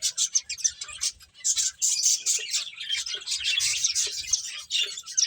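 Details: Finches chirp as they eat, with busy high twittering in rapid pulses almost without a break and light low clicks in the background.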